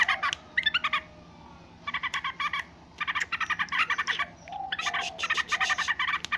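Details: Noisy yellow-vented bulbul giving fast, rattling chatter in clipped bursts of several notes, separated by brief gaps, over a soft constant low-pitched hum in the background.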